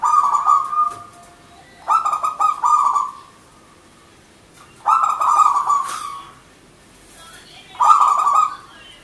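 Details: Zebra dove of local stock singing loudly. Four clear phrases of quick stacked coo notes trail into a sustained tone, spaced roughly two to three seconds apart against a quiet background.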